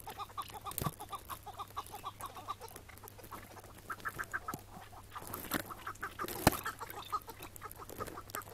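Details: Iraqi chukar partridge in spring, May 2017, morning capture in the field before release; soft, steady run of short chuk notes throughout, with scattered clacks and a sharp bang midway.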